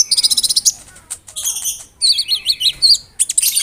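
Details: Konin bird pouring out a song of mimicked cricket and bird sounds, used as tutoring material; a quick rattling series of high notes, then chattering phrases of rapid, shrill, wavering chirps.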